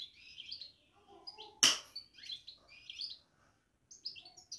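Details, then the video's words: Caged European goldfinch babbling: bursts of bright, chattering high twitters and short trills with brief pauses, broken by one sharp loud click partway through. "بتبتة الحسون في السلاكة"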